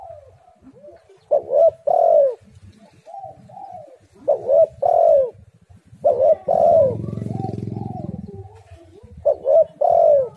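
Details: Spotted dove calls played to lure other doves into singing: repeated low mellow coo phrases in pairs roughly every three seconds, each ending in a drawn-out falling note, with a low rumbling hum in the middle.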